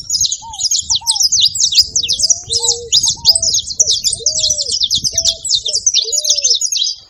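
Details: Saffron finch calling: a continuous stream of bright, high, scratchy chirps, with scattered lower clear whistled notes rising and falling and a soft low hum behind.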